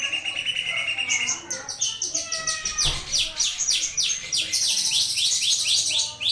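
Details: Starling (jalak) song used as a mastering recording for training other birds: dense, high, varied chattering with rapid repeated sweeping notes and trills, getting busier and louder in the second half.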